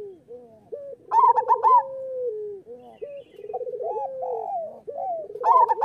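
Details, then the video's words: Local zebra dove master song to make doves sing readily: repeated staccato coos run into falling trills, and a loud high rolling phrase returns about four seconds later, with several birds calling together. "Perkutut lokal gacor Suara Masteran Burung Perkutut Paling Ampuh"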